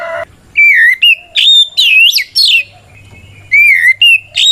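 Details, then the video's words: Kacer, the white-rumped shama, singing a powerful 'ngeplong' challenge song meant to call out an opponent: rich whistled notes rising and falling, quick buzzy bursts between them, delivered in rapid sequence with a faint low hum behind. "Suara Burung kacer gacor NGEPLONG tarung ini paling ampuh buat PANCINGAN KACER agar EMOSI Nyaut"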